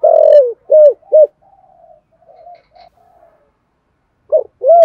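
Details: Cooing spotted dove kept as a decoy to draw in wild doves: a long downslurred coo, two quick arched notes, a soft level murmur, then two more loud coos.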